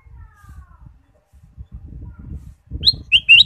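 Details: Ruby-throated bulbul song used to stimulate caged birds: after a quiet stretch with low rumble and a faint thin whistle, a clear phrase of three or four sharp whistled notes arrives at the end.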